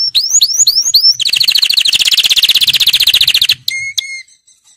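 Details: Canary song used for training young birds: a few quick upswept whistled notes, then a long rapid buzzy trill of repeated notes for over two seconds, ending in short pure whistles.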